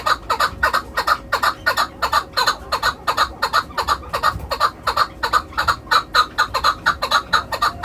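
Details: A kept hunting (shikari) chukar partridge (Alectoris chukar) calls in a fast, unbroken run of harsh, clucking chuck notes, several each second, with a faint low rumble behind.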